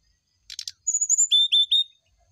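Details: Brown-chested jungle flycatcher singing in the morning to prompt an answer: a few fast chips, a drawn-out high whistle, then three steady, clear lower whistled notes in even succession.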